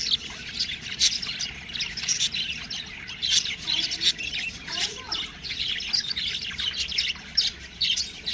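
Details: Baby budgerigars chirp in a busy, continuous chatter of high, squeaky tweets and short squawks.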